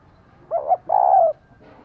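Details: Female spotted dove calling to stimulate a male: a short rising-falling coo followed at once by a longer, steady, slightly wavering coo, all clear and close.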